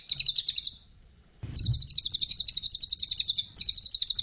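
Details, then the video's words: {'caption': 'Brown cililin song used as masteran: fast, high-pitched chattering notes in a steady trill that stops briefly, then restarts after a dull knock with a long, even burst of rapid pulses.'} "Burung cililin coklat‼️masteran"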